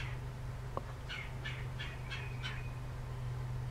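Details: Red-bellied woodpecker calling: a quick series of five harsh, squawky notes about a third of a second apart, after a single sharp click, over a steady low mechanical hum.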